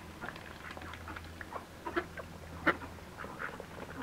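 Red-billed teal giving soft, short quacking notes at an irregular pace, one louder call standing out, over a steady low hum.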